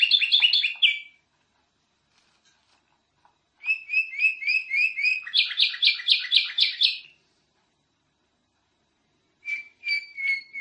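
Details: Lively canary song recorded as a master for training other canaries' voices: short bursts of fast rattling trills and repeated chirps, separated by long silent pauses, with a final pair of clear whistles.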